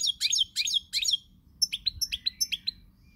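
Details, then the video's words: Pied European goldfinch singing on 20 March 2020: three quick buzzy twittering bursts, then a row of clipped, high liquid notes given in quick succession. "Chardonneret, El jilguero, bird, cardellino pezzato GOLDFINCH SONG"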